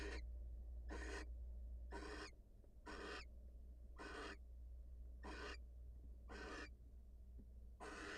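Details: Wild barn owl at a nest, the female leaving the nest to greet her mate; harsh, broadband hissing screeches about 0.3 seconds long, repeated roughly once a second, over a low steady hum.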